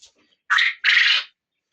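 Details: Male quail (rooster) in a kept group, one of the loud ones, gives a loud, harsh two-part crow: a short raspy burst, then a longer, broader, grating note, with nothing else heard.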